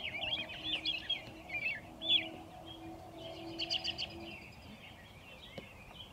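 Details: American robin singing near dusk on 6 April 2024, perched atop a pile of railroad ties beside a railway in Shiloh, Illinois: sharp, high chirps in quick bursts, then a rapid stuttering series of notes, over a faint low hum.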